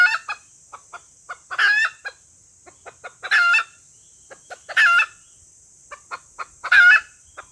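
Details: Red junglefowl hen call for luring males: loud harsh squawking bursts about every one and a half seconds, separated by soft short clucks, with a constant high hiss behind.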